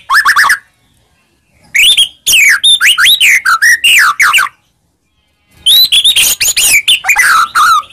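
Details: White-rumped shama singing to provoke a reply, three bursts of loud whistled and chirping phrases with bending, falling notes, separated by quiet pauses of about a second.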